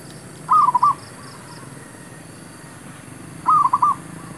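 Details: Zebra dove calling as a lure during trapping of wild birds: two rolling, gently warbled coo phrases of four or five notes each, about three seconds apart, against quiet background hiss.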